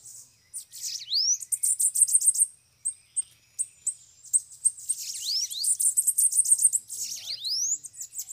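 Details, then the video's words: High, hissing trills and thin upslurred whistles from several bananaquits (sibite) that came to a trapping cage; bursts of rapid ticking notes start and stop, with brief gaps between phrases. "canpeada de sibite chegou varios sibite solto na gaiola"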